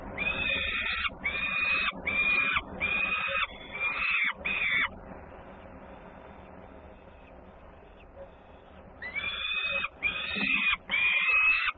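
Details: Peregrine falcon in Włocławek, Poland, 3 June 2010, sibling arriving home loudly at feeding: six harsh screeching notes in quick succession, a pause of about four seconds with background hiss, then three more screams.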